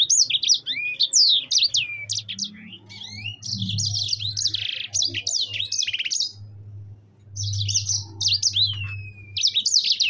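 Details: Sanger, or yellow-fronted canary, delivering long rolling song with fast jumbled high chirps, swoops and trills in dense bursts, a brief pause near seven seconds, then more chattering phrases over a steady low hum.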